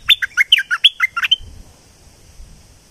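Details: Southern Thai streak-eared bulbul delivering a lively run of about ten clipped, chattering notes that alternate between higher and lower pitches, finishing with a drawn-out thin note. The background is quiet.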